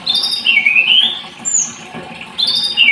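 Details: Short burst from a blood-breasted flowerpecker (tledekan gunung): thin whistled notes that dip and rise, repeated after a brief pause.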